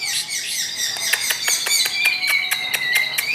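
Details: Long-tailed shrike giving a steady, fast, high twittering song of thin wavering whistles, with crisp ticking notes about four per second, in a slightly reverberant space.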